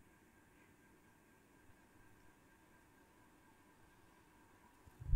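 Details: Near-silent low hum with faint background hiss throughout, ending in a brief loud thump.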